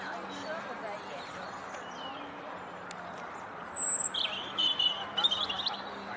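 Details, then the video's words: A European robin in full song on a corkscrew hazel bush in a flower walk sings a thin, high warbling phrase of quick liquid notes rising and falling, coming in late over a steady background hum and rumble. "Robin singing"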